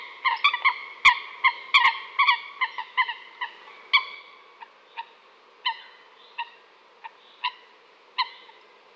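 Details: Coot calls starting in a dense rapid flurry of honking notes, then thinning into single spaced calls about every second.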